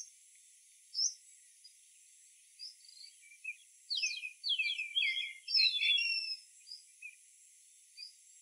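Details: Indian grey hornbill in India gives shrill, squealing notes, scattered at first and then a dense burst of sliding squeals over two seconds, against a steady high insect hiss.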